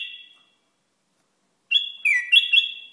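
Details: Bulbul from Iraq giving a brief whistled note, then a rich, bubbling phrase of linked rising and falling notes after a pause.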